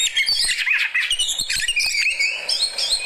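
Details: An Oriental magpie-robin kept as a fighter bird sings in reaction to another bird, pouring out rapid, scratchy mixed phrases with quick high whistles and buzzy chatter, several notes each second.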